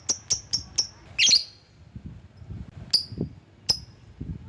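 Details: High, clipped chirps from a lovebird calling rivals: a quick run of four, a harsher squawk, then two isolated notes after a gap, with soft low thumps in the background.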